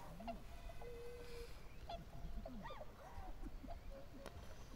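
A flock of tundra swans gives overlapping soft, hooting and yelping calls, some rising and falling, with a low rumble of wind or water underneath.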